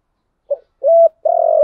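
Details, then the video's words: Spotted dove (cu gáy) cooing, recorded as a lure for wild doves. One brief phrase: a soft short note, a level hooted coo, then a longer wavering coo trailing downward, with no other sounds. "Tiếng Cu Gáy Giọng Hạp BổI ĐỦ BÀI ( GÁY GỌI,THÚC,GÙ )"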